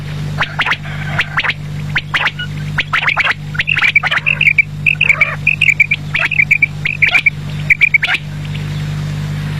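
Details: Quail calling in the evening: bursts of short, bright chirped notes repeated in quick clusters, with a steady low mechanical hum underneath throughout.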